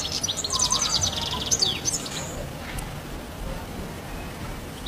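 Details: European goldfinch on a house rooftop: about two seconds of fast, high twittering chirps and a slurred whistle, then fading to near quiet with only a low background rumble.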